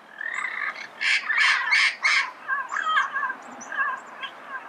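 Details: Red-crowned amazon in Pasadena early in the morning: four loud, evenly spaced harsh screeches, then a looser series of softer, nasal, wavering chatter notes.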